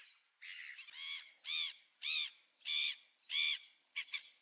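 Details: Gulls recorded on 27 December 2017, giving a run of loud, harsh, arched harmonic calls about every two-thirds of a second, six drawn-out cries followed by two short clipped notes at the end, with no other clear sounds.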